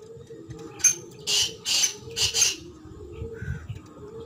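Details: Black francolin giving a phrase of four harsh, rasping, grating notes in quick succession, followed by quieter background sounds.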